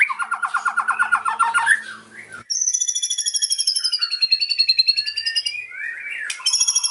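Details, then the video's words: White-rumped shama delivering cililin-style filler song: a fast stuttering trill, a short pause, then a long rapid rattling series sliding gently downward, ending in a quick whistled flourish. "MURAI PASTOL BONGKAR ISIAN CILILIN AUTO NGAMUK"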